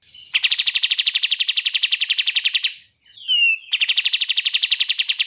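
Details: Bar-winged prinia: a long trill of quick, evenly spaced chips for over two seconds, a pause with a slurred whistle, then another fast trill.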